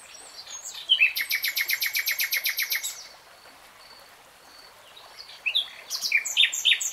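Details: Common nightingale singing in real time: a fast burst of loud, dry repeated notes around two seconds long, a quiet pause, then fresh rapid phrases of clicking and whistled notes.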